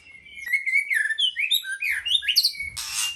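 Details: White-rumped shama singing: a sustained whistled note, then a varied run of rich, fluty slurred phrases rising and falling, ending with a harsh noisy burst.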